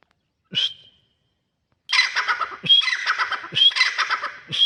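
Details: Grey francolin, known locally as teetar or gora teetar, calls with a short shrill note, then a loud run of harsh, rhythmic phrases. The phrases repeat roughly once a second, each with a squeaky whistled accent, against a quiet background.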